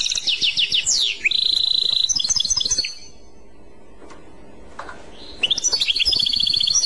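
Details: European goldfinch giving a clochette song: quick downslurred twitters, then a steady high trill and jingling notes, a quiet gap with a soft call, then the twittering resumes.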